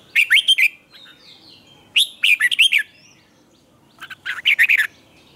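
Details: Red-whiskered bulbul singing its morning training song, used as a lure for other birds: three brisk phrases of bright, rolling chirps roughly every two seconds, with quiet between.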